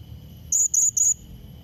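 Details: Blue-crowned hanging parrot challenge call meant to draw a rival: a single run of three shrill, drawn-out high whistled notes in quick succession, with low background rumble.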